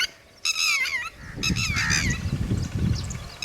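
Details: Red-wattled lapwing (tateri) near its chicks gives two loud, strained calls with sweeping pitch, the first falling, the second wavering, followed by low rumbling noise.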